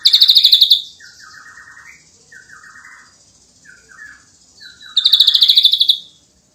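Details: Srigunting abu-abu, the ashy drongo, in energetic 'nembak rapat' delivery: a fast, high rattling trill opens, quiet mid-pitched whistled phrases follow for several seconds, then a second loud machine-gun burst of notes.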